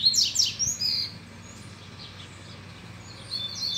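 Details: Double-collared seedeater stirred up by a female, opening with rapid harsh downslurred notes and high whistles, going quiet, then resuming with a short whistled phrase.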